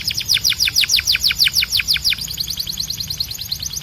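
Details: Young and male canaries are taught with this tutor song: a string of loud high down-swept notes about four per second, followed by a fast, quieter rolling trill.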